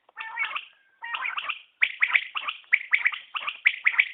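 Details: Common quail calling, new recording: opening phrases sound rougher and lower, then quick three-note liquid phrases follow in steady succession about every second.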